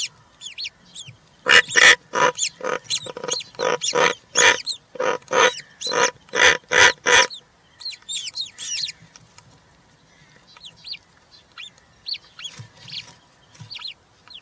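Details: Three European roller chicks in a nest, 20 June 2023, one fed a giant grasshopper; faint whistled notes lead into a rapid run of around fifteen loud rasping cracks, followed by scattered high, thin, wavering calls.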